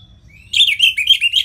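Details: Orange-headed thrush song from Bali, played to get lazy birds singing: a thin rising whistle leads into a quick warbling string of high, slurred notes.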